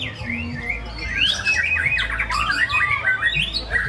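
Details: White-rumped shama (murai batu) in a singing contest delivers bright, looping whistles that swoop up and down in quick succession, with sharp rising notes near the middle; a constant low droning hum and other birds sound in the background.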